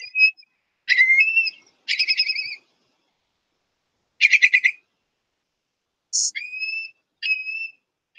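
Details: Long-billed Curlew, a declining migratory species of greatest conservation need in southwest Idaho, giving rapid rolling whistled trills (contact call), then clear rising 'cur-lee' flight-song whistles repeated about a second apart, high and ringing.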